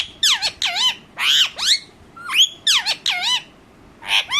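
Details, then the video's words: A pet talking Indian ringneck parakeet, angry after attacking another bird, lets out loud piercing screeches that swoop downward in quick doubles and triples. "bolane wala tota"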